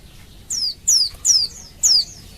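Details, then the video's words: Female Oriental white-eye calling males while in heat, used to lure them into song: four bright, thin whistles each sliding down from very high pitch, spaced about half a second apart. "Suara Burung Pleci Betina Memanggil Jantan"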